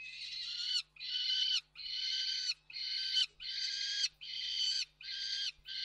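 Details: Peregrine falcons, three together, at Reda Koksik on 29 June 2024: a close, loud run of rasping wailing calls, each near a second long, repeated almost without pause, with a faint electrical hum below.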